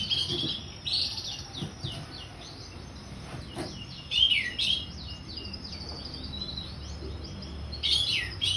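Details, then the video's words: Orange-headed thrush in ngeplong song: loud bursts of varied whistles and sharp chirps at about 1, 4 and 8 seconds. Softer twittering fills the gaps over a faint background hiss. "Anis merah ngeplong"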